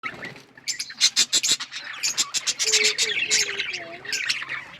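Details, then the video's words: Budgerigars, described as Australian parrots kept as pets, chirping in a lively chorus: bursts of bright, scratchy high notes with short whistled tones and warbling slides underneath, several birds overlapping. "Birds chirping sounds Beautiful Australian parrots"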